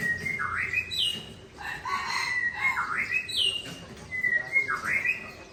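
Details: Aceh white-rumped shama from Tangse answering a rival: a whistled note sliding into a dipping, swooping phrase, repeated three times with rough chattering between phrases.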